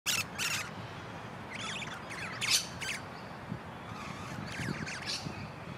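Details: Wild musk lorikeets, a pair in a large pepper tree, talking and singing: harsh, high, screechy bursts in short clusters, some rising strokes, spaced irregularly over a steady low rumble.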